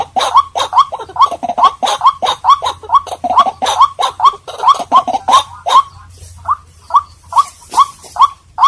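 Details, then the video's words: White-breasted waterhen lure calls: about twenty rough, rising croaks repeated rapidly and evenly, loud at first and softer in the final seconds, with a low background hum. "White Breasted Water Hen Sound"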